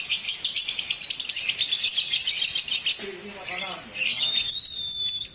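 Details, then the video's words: Lovebird chatter meant to coax birds into singing: dense high rapid twittering, a softer lower-pitched middle passage, then bright chatter again with a thin whistled note. "Terapi Burung Lovebird biar Cepat Gacor"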